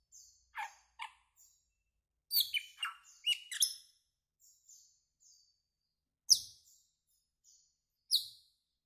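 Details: Asian glossy starling, a greenish black bird, making a varied run of high chirps, twittering notes and buzzy clustered squeaks, then two isolated sharp whistled calls about two seconds apart.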